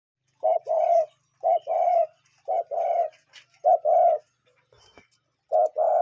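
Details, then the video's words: Cuckoo calling in nature: low, hollow two-part notes, a short one then a longer one, repeated about every second, with a few faint clicks between phrases. "Relaxing Cuckoo Bird Sound in Nature"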